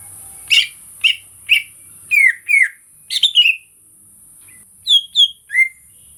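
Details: Greater green leafbird song, used as bait to get silent birds singing: spaced sharp chips, then paired slurred whistles dropping in pitch, with a constant high background hiss.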